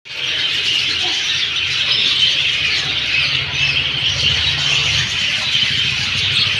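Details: Many birds chirping together in a dense, continuous chorus of high, overlapping chatter, steady in loudness throughout, with a faint low rumble underneath.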